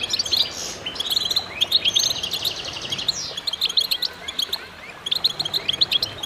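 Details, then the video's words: Goldfinches in chorus, with overlapping buzzy trills and a falling slurred whistle, then bursts of bright, rapidly repeated chirps. "voices a chorus of goldfinches in concert"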